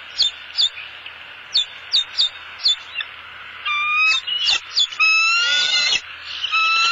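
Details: Bald eagles at a southwest Florida nest, the male bringing the female a headless fish: spaced sharp high chips build into a longer, loud, tremulous whistled chatter toward the end.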